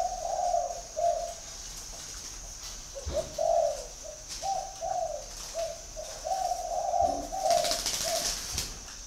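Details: Spotted dove from a dove garden in Vân Hòa, Ba Vì, Hanoi, Vietnam, giving a long run of low hollow coos in uneven groups of two or three. A faint rustle and a steady high whine sound behind it.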